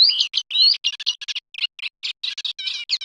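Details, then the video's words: Eurasian reed warbler singing a quick, jerky chatter of scratchy and churring notes, mid to high pitched, with short phrases repeated two or three times; no other sounds. "صوت دخلة القصب الأوروأسيوية | Eurasian Reed Warbler Sound"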